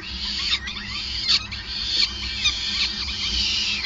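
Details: Peregrine falcon at a nest on the Gasunie site in Groningen, 5 May 2020, during a long feeding; dense, overlapping high squealing calls pour out almost without pause, wavering in pitch, over a steady low hum.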